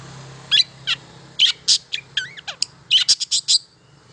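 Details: Long-tailed shrike song used to coax quiet shrikes into song: a short burst of sharp high chirps, a few rising and falling whistles, and squeaky sliding notes.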